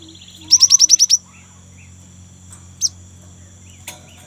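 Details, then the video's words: A young great tit sings vigorously, meant to coax other great tits into song: a fast series of seven high falling chirps, then two isolated sharp notes spaced over the next few seconds. "GELATIK BATU MUDA GACOR | Glatik Ngerol Untuk Pancingan Gelatik Batu"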